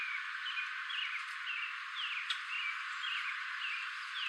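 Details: Male common grackle calling before flying away: short slurred chirps repeated roughly twice a second, set against a dense background of continuous chattering from other birds.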